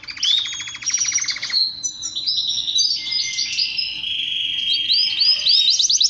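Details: Male canary song meant to stimulate males to sing: a buzzy rapid trill opens, then gives way to varied clear whistles, held notes and a run of quick rising sweeps.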